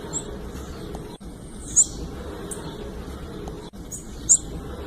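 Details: Female blue-black grassquit call, used to prompt males to sing: two very short, high, thin chirps about two and a half seconds apart over a steady background hiss.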